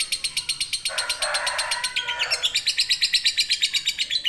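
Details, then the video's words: Lovebird in ngekek trill, a long rattling series for training songbirds; rapid, regular high pulses nearly three per second, interrupted around the middle by a harsher raspy burst before the even chatter resumes. "LOVE BIRD NGEKEK PANJANG COCOK UNTUK MASTERAN"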